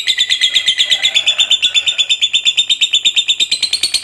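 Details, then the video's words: Fighter lovebird kept for singing contests delivering its long ngekek chatter: a rapid, regular train of bright, scratchy high notes, close to three per second, the pitch rising slightly toward the end. "SUARA BURUNG LOVEBIRD FIGHTER GACOR NGEKEK PANJANG.!"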